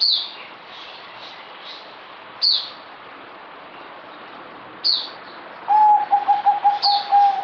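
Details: Near the end a zebra dove (merbok), kept bird, dated 08052020 and singing a little less, delivers a stuttering series of clear, level coo pulses; before it, scattered sharp high chirps from other birds.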